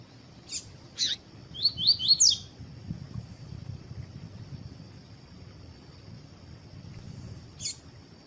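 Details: A Rusty-collared seedeater (coleiro tui-tui, Sporophila caerulescens) gives a quick burst of sharp, rising chirps over about a second, with a few isolated high notes, over a steady high whine and faint low rumble.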